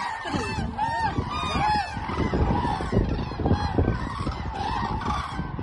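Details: Common cranes dancing at Hornborgasjön in Sweden, heard up close: loud, hoarse, bugling calls that curve up and down, overlapping from several birds in a steady chorus over low background rumble.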